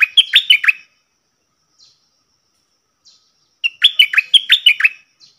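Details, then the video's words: Two lively phrases of rapid, looping chirps from a cream-vented bulbul singing the 'double' song style on 18 June 2021, the second phrase longer and fuller, with a few faint soft notes in the gap. "Merbah lekir gacor"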